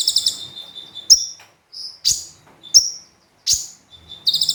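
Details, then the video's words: Javan white-eye in full song used as a training recording for birds: sharp, high chirps and loud bursts at roughly one-second intervals, opening and closing with a rapid, buzzy high trill. "Konin Gacor Full Tembakan"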